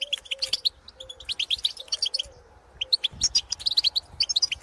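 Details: Wild European goldfinches in the field calling to others of their species: quick high tinkling chirps in clusters, separated by short gaps, with a faint low hum and a soft thud near the middle.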